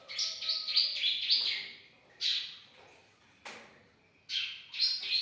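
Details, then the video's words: Young Bar-winged prinia in vigorous song: loud, rasping high chatter delivered in short bursts separated by pauses, with one sudden sharp click in between. "masteran ciblek muda gacor"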